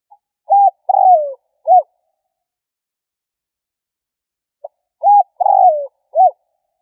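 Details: Spotted dove cooing to lure or provoke: two three-part phrases about four and a half seconds apart, short coo, longer downward-sliding coo and short final coo, in quiet surroundings.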